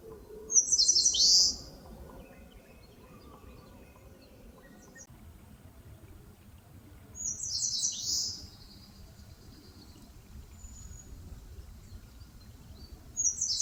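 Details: Eastern crowned warbler singing in forest at the foot of Palbongsan, Seosan, Korea: brief high-pitched twittering phrases, about three across the stretch, spaced several seconds apart over a low background rumble.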